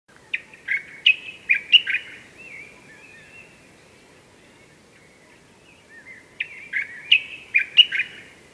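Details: A common bulbul (Pycnonotus barbatus) in a Sous Valley garden, Morocco, in March, before dawn, gives two bright, loud, chattering phrases several seconds apart, each a quick run of sharp notes ending in a softer warble, over faint hiss.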